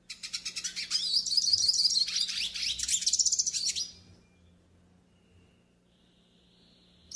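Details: Yellow-faced siskin singing a training and warm-up song: about four seconds of quick, rhythmic, high twittering with buzzy trills and interwoven whistled tones, followed by near silence and a final short note.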